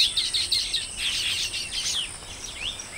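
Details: Colony of Baya weavers in a burst of calling, many birds overlapping in rapid, scratchy, high-pitched chatter with short rising and falling notes, fading slightly toward the end.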